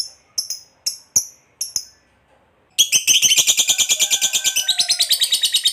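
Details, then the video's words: Fighter lovebird, a kept bird prized for its long ngekek trill, starting with six sharp high chirps, then after a pause launching into a fast continuous rattling trill of rasping notes, around five per second, that keeps going. "SUARA BURUNG LOVEBIRD NGEKEK PANJANG"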